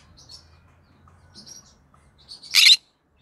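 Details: Green-cheeked conure, a pet parrot heard in the evening: soft, scattered chattering notes, then one sudden loud, harsh screech near the end.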